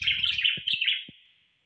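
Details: Common blackbird song: a loud, dense burst of warbled twittering notes that fades out after about a second and a half, with a few low knocks beneath.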